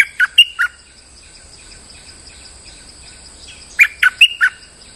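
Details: Bulbul in molt singing as a lure bird: brisk chirpy whistled phrases of four or five notes, separated by a few seconds of near silence and a soft high hum.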